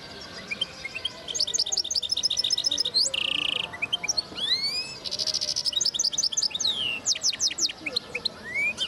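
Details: Linnet × goldfinch hybrid recorded in 2010, singing a lively varied song: rising whistled slurs, bursts of rapid ticking notes, and dense buzzy rattles around mid-height, delivered in quick phrases with brief pauses.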